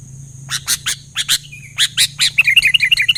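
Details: Lively sooty-headed bulbul singing, with other bulbuls responding at once: several sharp chips lead into a quick burst of bubbly, fluty notes at the end.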